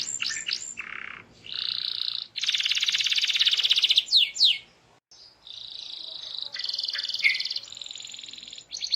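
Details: Canary song meant to set other canaries singing, with rolling trills, long buzzy rattles, sharp downward sweeps and brief pauses, all high-pitched and continuous.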